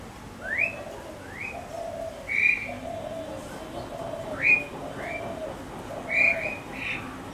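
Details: Asian pied starling in a backyard early in the morning, calling loudly: clear upslurred whistles and fuller warbled notes spaced about a second apart, over a low steady hum.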